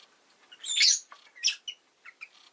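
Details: Rosy-faced lovebird giving a longer shrill, buzzy chirp followed by a shorter one and several softer twittering notes.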